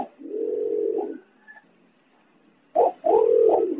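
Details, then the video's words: Green imperial pigeon, native voice used for calling in wild birds: a low, steady humming coo, a quiet gap, then a sharp short note leading into another deep drawn-out hum. "Suara pergam hijau √√|| Suara jernih untuk pemanggil"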